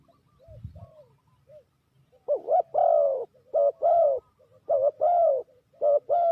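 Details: Spotted dove used as a lure bird for trapping: after soft, faint notes, low cooing comes in pairs, a short doubled note followed by a longer drawn-out coo, repeated about every second.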